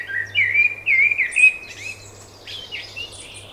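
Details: Birds singing in spring: a run of looping, slurred whistled notes, about three quick phrases, followed by higher scratchy twitters; a faint low hum lies beneath.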